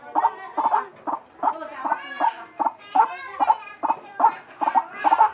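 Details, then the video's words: White-breasted waterhen calling in a strange way: dense, rapid series of loud, croaking, harmonic notes, some doubled, continuing without pause. "Ruak ruak bersuara aneh"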